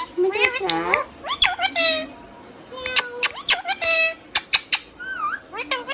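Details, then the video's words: Hand-tame green parrot talking: bursts of wavering, speech-like syllables and sliding notes, interspersed with sharp clicks and a soft whistled wiggle. "Green Parrot Natural Sound | Hand tame Parrot Talking video | Mithu Tote Ki Awaaz | Talking Parrot"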